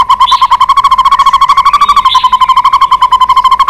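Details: White-rumped shama in continuous rapid chatter, used to stimulate a caged bird: a steady, mechanical run of short pulsed notes repeated about thirteen times per second at a constant mid pitch, without a break.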